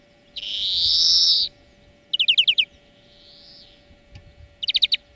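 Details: Greenfinch song used as a lesson for training birds. A long harsh nasal wheeze opens, followed by a fast trill of about six bright notes, a faint drawn-out buzz, and another short trill.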